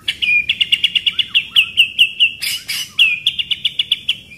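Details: Training recording of White-rumped shama song in rolling 'shooting' pastol rhythm: bright, sharp chirps repeated several times a second in an even series, briefly broken by a harsh, noisy burst, then resuming the quick chirping run.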